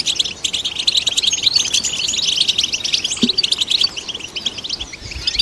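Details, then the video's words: European goldfinch in full song, used to stimulate goldfinches: rapid, clustered chirps and tinkling notes repeated in dense bursts, sustained high twittering with a brief low click midway. "Golden Songbird vocal performance to stimulate the goldfinch"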